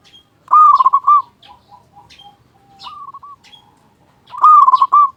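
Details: Loud-voiced local zebra dove in full song, used to stimulate quiet doves into calling. Two bold rapid cooing bursts frame a gentler phrase, with faint coos from other doves in the gaps.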